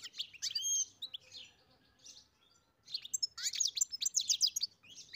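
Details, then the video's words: European goldfinch on a farm singing bursts of tinkling twitter and nasal buzzy notes, a quieter gap mid-phrase, then a rapid run of clipped chirps; faint low hum beneath. "Καρδερίνα μελωδία (Goldfinch carduelis SINGING)"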